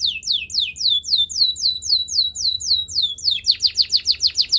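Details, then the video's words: Belgian singing canary, said to seduce other canaries, delivers a run of descending slurred whistles about four per second, then switches to a quicker, tighter high trill. "A special canary to seduce all the canaries - The belgian singing canary"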